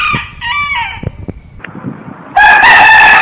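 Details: Rooster crowing, a harsh crow tail fading into background clatter and scattered knocks, then a loud, rough crow starts up and carries to the end.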